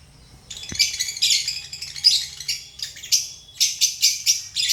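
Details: After a brief near-silence, relaxed pet lovebirds break into sharp, high chirps, first in overlapping runs and then in separate piercing notes spaced about a third of a second apart.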